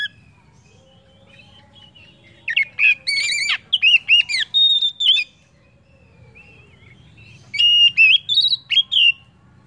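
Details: Oriental magpie-robin singing to prompt other birds: rich whistled and chattering phrases in two bursts, sweet rising and falling notes mixed with harsher chips, over faint low background hum.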